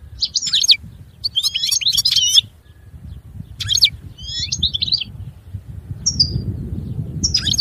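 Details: Goldfinch song in short separated phrases of sharp, high tinkling and buzzy notes, spaced by gaps of a second or more, with a low rumbling background.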